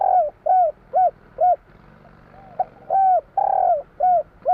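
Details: Mellow cooing from a spotted dove of the Javanese type, 'kuk 3' song style: four evenly spaced low coos, a brief gap, then a louder, drawn-out coo followed by more short ones.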